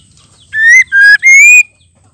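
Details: Female white-rumped shama calling to provoke males into singing: three loud, clear whistled notes, the last one longest and slightly rising, in an otherwise quiet setting.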